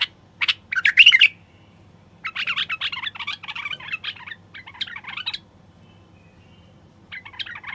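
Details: Common bulbul male singing, used to prompt quiet wild bulbuls to sing, mate and nest. A loud warbled phrase comes first, then a long rasping, chattery passage, brief silence and a final scratchy burst.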